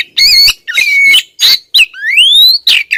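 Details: Loud female Oriental magpie-robin calling insistently toward a male: a bright whistle, a level whistled note, harsh squawks, and a long rising whistle, all in quick succession.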